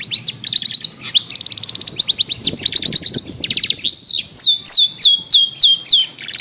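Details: Long-tailed shrike used as a lure to restart a silent singer: fast rattling chip series and trills giving way to slower, repeated downward-sweeping whistles; steady faint low hum in the background.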